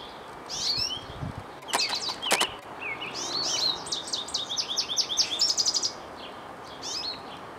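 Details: Goldfinch in spring, having flown from a feeder to a birch tree: a few sharp clicks and rustles early on, then a run of quick repeated high twittering notes and sweeping whistles against constant background hiss.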